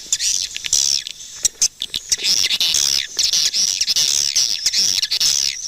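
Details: Many swiftlets chirping together, a busy high twittering chorus broken by short clicks and brief gaps.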